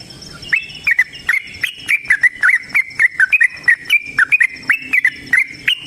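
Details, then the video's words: Yellow-vented bulbul delivering a long rapid trill in prolific fighting style, used as a lure so caged birds answer: crisp, liquid chirps fired in quick, uneven succession, with a faint hum behind. "TRUCUKAN GACOR TARUNG ROPEL PANJANG Pancingan trucukan Agar Bunyi Jadikan Burung Trucuk Gacor Nyaut"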